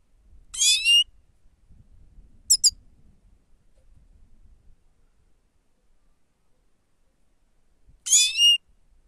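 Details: Grey-crowned goldfinch song used as a lure, labelled 'sava': three short bursts of high, twangy, stacked notes spread across about eight seconds, separated by silence, with faint low rumble beneath.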